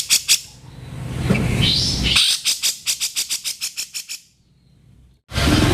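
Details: Grey-cheeked bulbul giving harsh, rough notes used as a training recording for cage birds. A noisy, scratchy passage leads into a fast run of about a dozen clipped, rasping pulses, a brief lull, then another loud burst.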